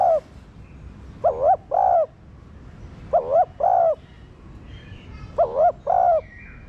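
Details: Spotted dove cooing, recorded to spur captive doves into cooing: a clipped opening phrase, then three two-part coos, a quick wobbling note and a held mellow one, spaced about two seconds apart.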